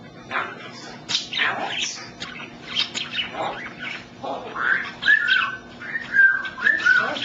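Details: Pet male African grey parrot talking indoors, repeating the word "smart" in rapid speech-like bursts and saying "you're cute", then giving several clear whistled notes in the second half. A steady low hum runs underneath.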